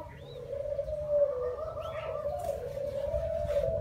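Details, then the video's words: Young spotted dove giving a low, steady, drawn-out cooing that holds nearly one pitch for several seconds, with faint background noise and a few soft higher chirps. "Chim cu gáy non"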